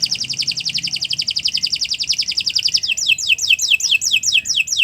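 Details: Canary in extended song, used to tutor other birds: a steady fast trill of tiny repeated notes lasting about three seconds, changing into slower, louder falling chips, with faint low background hum.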